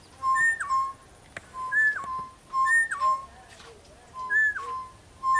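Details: A pair of East Coast Boubous calling from a tree in bush near Kilifi on a morning walk at sunrise: clear, fluty whistles, a low note then a higher note sliding back down, repeated every second or so, with faint chirps from other birds.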